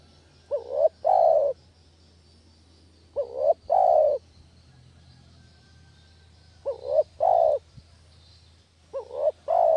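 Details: Spotted dove (village derkuku) cooing as a lure recording for catching doves; four phrases, each a short wavering double coo followed by a longer, drawn-out, slightly falling coo, repeated every two to three seconds over a faint steady hum.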